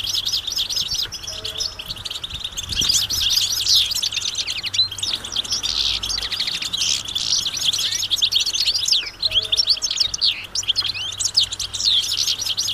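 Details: Crowd of European goldfinches calling in the wild, mating and readiness calls that get males singing; dense, ringing high-pitched twittering and chattering trills carry on steadily across the whole stretch.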